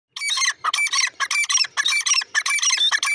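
Francolins give harsh, grating squawks in rapid overlapping bursts, about two a second, with several birds calling together.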